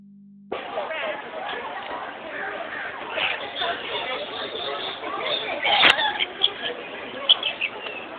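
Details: A flock of captive lorikeets at San Diego Zoo Safari Park, playing in a way that looked like fighting, keeps up a dense, shrill chatter of squeaks and screeches, with a few louder shrieks near the end; voices may be mixed in.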